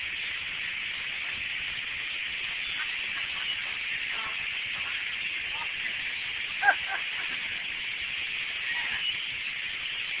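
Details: Huge flock of black birds, estimated at a million, gathered and flying together as they do about twice a year: a continuous dense wall of high, overlapping chattering calls with a few louder calls standing out.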